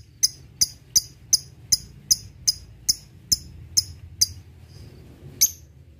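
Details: Lovebird in ngetik ticking style, which opens its song used to provoke rivals: dry, sharp clicking ticks repeated about every 0.4 seconds, ending in a pause and one last tick, over a low background hum.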